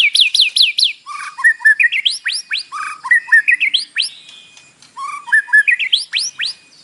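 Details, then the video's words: White-rumped shama singing fill-in song, a morning recording meant to make a captive bird sing: fast descending whistles, then rich slurred phrases climbing in pitch, repeated with short breaks. "PANCINGAN pagi hari EFEKTIF bikin Gacor dengan suara murai batu isian"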